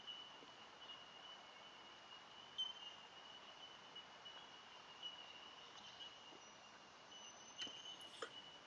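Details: Faint Bell Miners (bellbirds) in forest in the Conondale Ranges, Sunshine Coast Hinterland: high, pure tinkling notes blending into a steady ringing tone, with brighter pings every couple of seconds over soft hiss.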